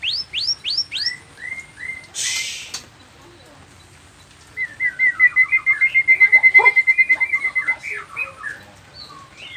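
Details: Nias noktah white-rumped shama in full song, a lure meant to make other shamas reply: a few repeated slurred high whistles, a short rustling burst, then a long, rapid, evenly pulsed trill of mid-pitched notes that fades into scattered chirps.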